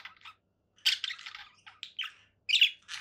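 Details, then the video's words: Conure parakeet calling in short harsh squawking bursts, broadband and grating, separated by brief silences, with louder rasping notes near the start and end. "conure parakeet sounds"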